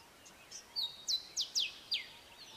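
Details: Male grey sunbird giving its short, sharp phrased song: five quick, high, downward-slurred notes in rapid succession, each a crisp chip, over a faint quiet background.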